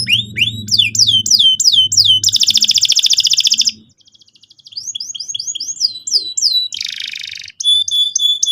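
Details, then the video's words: Canary singing to provoke another bird: rising and descending whistled sweeps, a rapid rolling trill, a quiet pause, more sweeping phrases, a harsh buzzy burst and short whistles. "PANCINGAN BURUNG KENARI GACOR SEKETIKA BIKIN PAUD NGEROL NGK MAU DIAM"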